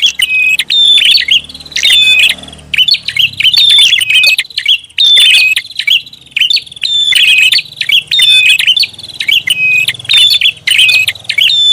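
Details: Prinia lure sound with busy, noisy chatter: rapid high-pitched chips and buzzy notes over a sustained thin whistle, phrases following each other almost continuously, faint low hum beneath.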